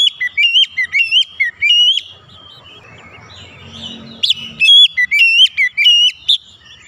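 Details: Oriental magpie-robin singing, offered as quick therapy for stressed or non-singing magpie-robins: clusters of loud, ringing whistles with sharp upward flicks, a brief lull with low murmuring, then more rapid whistled notes.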